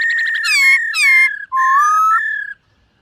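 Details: Black-throated laughingthrush in morning song practice while displaying. A quick stutter of notes leads into loud slurred whistles with harsh overtones, then a long rising whistled phrase and a steady level note.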